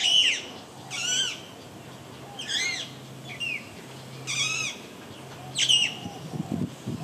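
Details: Alexandrine parakeet giving five loud, harsh squawks, each a harmonic, wavering note that bends up then down, spaced roughly one to one and a half seconds apart over a faint steady low hum.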